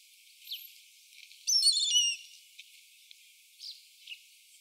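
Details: Indian grey hornbill (Ocyceros birostris), call.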